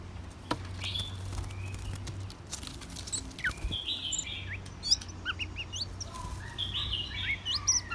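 White-rumped shama singing a varied run of clear, quick whistles that sweep up and down, with a steady low hum underneath.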